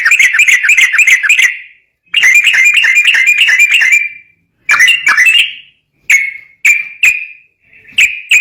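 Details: Sooty-headed bulbul song used as a lure to train other bulbuls: rapid chattering bursts of ringing notes broken by short silences, ending in single spaced notes.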